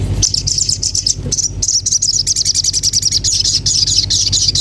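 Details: Common iora singing a dense, rapid, high-pitched trill of buzzy chattering notes that runs almost without a break, with brief pauses near the start, over a steady low hum.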